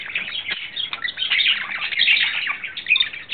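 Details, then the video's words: Male budgerigar courting in April 2009, a lovesick bird pouring out a harsh, scratchy chatter of fast overlapping chirps, ending with a couple of brighter whistled notes. "Wellensittich-Männchen Timmy verliebt"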